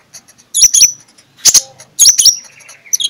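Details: Oriental magpie-robin (konin) singing loudly in the morning, a lure meant to rouse sluggish birds into excited display. Two sharp high whistled phrases with steep slurs are each followed by a harsh burst. A soft trailing whistle closes it.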